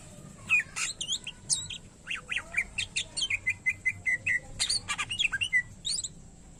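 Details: Greater green leafbird (cucak ijo) song mixing buzzy bursts with a run of repeated short whistled notes at even pitch, then quick chattering phrases and high squeaky slurs.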